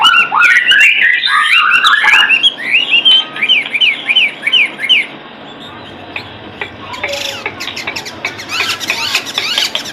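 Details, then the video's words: White-rumped shama song for training other caged birds: dense run of varied whistled and chattering phrases, then a burst of rapid repeated rising notes near the middle, followed by quieter harsh, scratchy sounds toward the end. "Murai Batu gacorrr garansi 99%//masteran//isian burung kesayangan anda"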